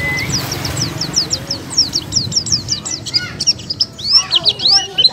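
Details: Oriental white-eye 'buka paruh' song: thin high chirps in quick runs, growing into a more varied, warbled twitter, over a steady background hiss and rumble.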